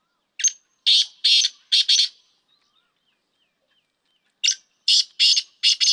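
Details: Black francolin calling for training purposes: a phrase of five harsh, buzzy, broadband notes, a gap of about two seconds, then the same grating phrase repeated.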